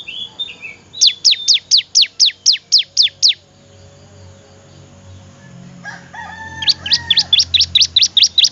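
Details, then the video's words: Bar-winged prinia song for training other birds: about ten sharp, evenly spaced high chirps, a gap with a softer lower whistled note, then another fast run of about nine chirps. "suara Merdu burung Ciblek cocok banget buat masteran"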